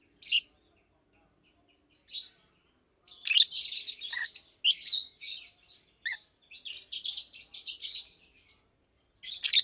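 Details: Two adult Fischer's lovebirds in a cage chirping by day: scattered single sharp chirps at first, then a long run of scratchy high chattering, ending with another shrill burst.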